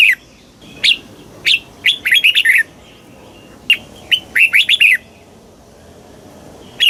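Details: Thai red-whiskered bulbul singing in the southern master style used to stimulate caged birds and tutor chicks: scattered clear whistles building into fast clusters of rising-and-falling chirpy notes, twice, with a soft hiss behind.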